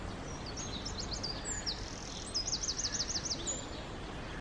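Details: Eurasian wren song recorded near Taureana in southern Italy: quick, high, sharp notes, then a fast run of about eight repeated trilled notes, over a constant rushing background noise.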